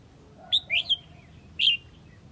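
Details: Red-whiskered bulbul from Huế calling the flock with a few bright, slurred whistles, two close notes followed by a swooping one and a final strong whistle after a short gap; faint low background noise.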